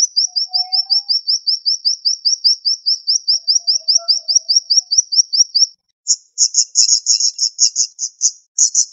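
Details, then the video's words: Siri-siri bird tutor song, sharp and rapid: a long steady train of high, slurred chips, about four a second, followed after a short gap by denser, buzzier high chattering notes. "Masteran Burung Siri Siri Tembakan Tajam Speed Rapat"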